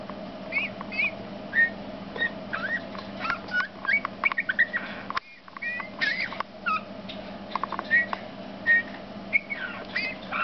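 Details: Song of a male Eurasian bullfinch: quiet rising and falling whistled notes mixed with scratchy clicks, a short silent gap midway, then more piping phrases, with a constant low background hum.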